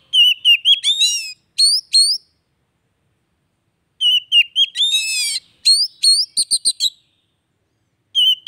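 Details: Daily therapy song of an Oriental magpie-robin for a kacer gone quiet: clusters of crisp whistled upslurs and fluty slides with a scratchy burst, in bouts about four seconds apart with silence between.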